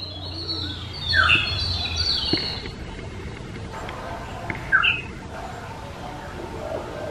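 Black-hooded oriole giving two clear, liquid whistled phrases about three seconds apart, each a quick falling-rising note, over faint background chirps from other birds.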